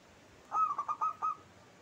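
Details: Local zebra dove, kept as a vigorous singer, delivering a single short phrase of five fast, rolling, slightly trilled coo notes against a quiet background.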